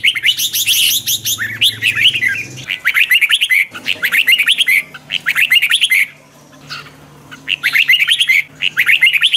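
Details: Red-whiskered bulbul morning song for training birds, a 'twisting voice' style mixed to rouse wild-caught birds and used as a lure. Rapid runs of bright rising-falling whistled notes in dense bursts, brief pauses near three and six seconds, a low hum early on.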